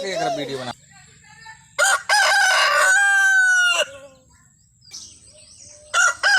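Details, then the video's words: Indian desi rooster giving a full, ringing crow lasting about two seconds, rising then gently falling, preceded by a short call and followed by quieter background and the start of another crow. "Rooster Crowing Compilation | Sound Of Roosters | मुर्गा की आवाज | Cock Sound Compilation Desi Murga"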